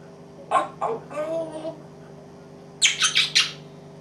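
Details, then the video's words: An African grey parrot coughing and barking gives rough, cough-like and bark-like bursts, then a quick run of four harsh, high squawks, over a steady indoor hum. "parrot swearing coughing and barking african grey"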